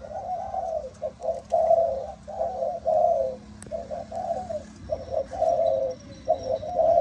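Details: Spotted dove, Malaysian line with 'âm thổ' voice. It repeats low, rounded coos steadily in grouped phrases of short and longer notes, over a constant background hum with a faint high whine.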